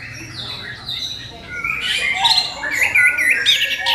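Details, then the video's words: Orange-headed thrush giving a song meant to draw other birds into singing: a soft start of thin descending whistles, then louder buzzy trills and rippling warbled phrases. "SUARA MENGKRISTAL ANIS KEMBANG PANCINGAN"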